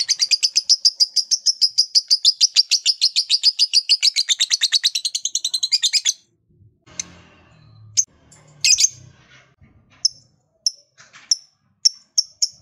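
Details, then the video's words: Lovebird in a long trilled song meant to get other lovebirds singing: a rapid, steady stream of high, sharp ticking notes for about six seconds, followed by quieter rustling and scattered single chirps. "LOVEBIRD LOYO DIJAMIN JADI SEMANGAT BUNYI LAGI, Setelah Mendengar Suara Burung Lovebird Satu Ini"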